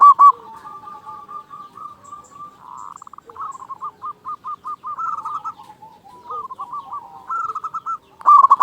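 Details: Local zebra dove from Indonesia with a big voice, a lure to stimulate silent doves: long soft chattering series of low coos, rising into quick rippling phrases and closing with a loud burst.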